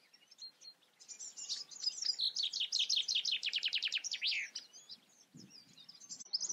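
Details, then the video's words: Common chaffinch singing: a run of bright, rapidly repeated high notes that speeds up and falls in pitch over about three seconds, ending in a short flourish, with faint chirps from other birds around it. "Common Chaffinch sings. Buchfink singt"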